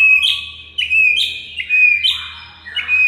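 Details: White-rumped shama masteran song used to get mute murai batu singing; rapid run of clear whistled notes stepping up and down, about one phrase every three quarters of a second.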